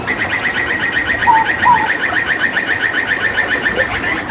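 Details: Hooded butcherbird endemic to Papua singing tembakan style during water therapy: a steady, rapid train of repeated chipping notes about two or three per second, with two short pure whistles dropped in partway through.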